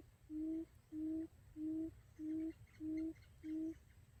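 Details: A series of six low, even hoots from a quail used as a trapping decoy, each note flat and slightly rising at its end, regularly spaced. Faint, soft chirps of other birds are heard in the distance.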